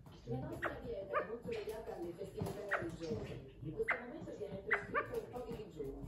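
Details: A pet male California quail perching on a chair gives sharp, clipped notes, singly or in quick pairs, every second or so, over a murmur of human voices and low household noise.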